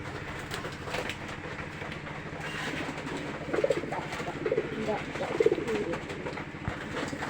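Pigeons give soft, low cooing notes over a steady mechanical rumble.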